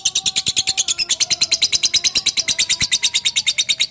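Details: Lovebird giving a long ngekek chatter: a fast, even run of shrill, buzzy notes repeated about three times per second, steady and unbroken throughout.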